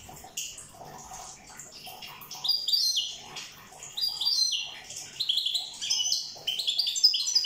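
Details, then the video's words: European goldfinch from Corsica singing: after a quiet start, a fast, bright twittering run of high tinkling notes and short trills builds through the second half, with brief buzzy elements mixed in. "Chant chardonneret corse rosse"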